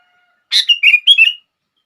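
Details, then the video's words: One short phrase of sooty-headed bulbul song meant to set other bulbuls singing: a scratchy first note followed by three fluid, warbling whistles, clean and close. "Kutilang Lain gak bisa diam saat mendengar suara ini!!!"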